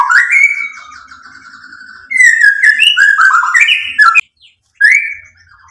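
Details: White-rumped shama song played to trigger other birds into singing: a long held whistle, then a fast, varied run of slurred whistles and chips, ending with a single rising note after a short gap.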